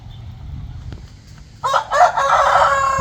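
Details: Rooster crowing in the morning, waking people like an alarm clock; after a quiet start with faint low background hum, a loud harsh crow begins and breaks into a second stuttered burst, cut off at the end.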